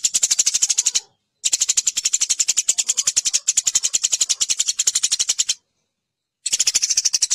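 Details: Eurasian tree sparrow fighting call, a master recording for training competition birds: dense, harsh, high chirps fired about ten per second in three long bursts split by brief silences.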